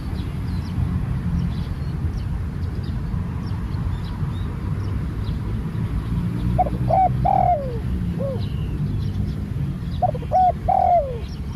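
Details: Spotted dove, a new bird being trained outdoors; after several seconds of low rumbling background, two cooing phrases arrive, each of quick short notes followed by a longer downward-sliding coo.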